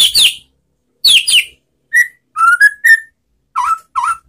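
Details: Relaxed white-rumped shama song meant to provoke replies from shamas that stopped singing after moult: high slurred note pairs, then clear rising whistles and two lower upslurred fluty notes.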